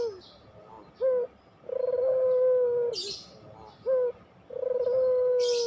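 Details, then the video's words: Long-cooing Barbary dove (puter pelung) on a lure recording for silent doves: a brief upward note, then a drawn-out even coo lasting over a second, the pattern repeating twice. "masteran puter pelung, 100% AMPUH pikat PUTER MALES BUNYI JADI GACOR MANGGUNG, PANCINGAN PUTER"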